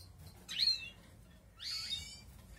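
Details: Balkan European goldfinch in outdoor breeding, as the 2020 breeding season begins; two bright, twittering phrases with rich harmonics, sweeping down from high pitch, separated by a pause, over faint low background hum.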